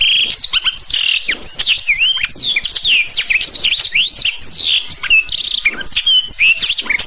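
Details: Tutor song of a black-throated canary for teaching canaries: a long unbroken medley of sharp chirps, upward and downward slurred whistles and rapid trilled notes, loud and high throughout.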